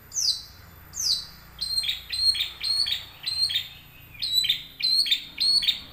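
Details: Young wild long-tailed shrike singing as a lure for caged birds; two downward-sweeping high notes, then a steady run of buzzy clipped phrases repeated nearly twice a second.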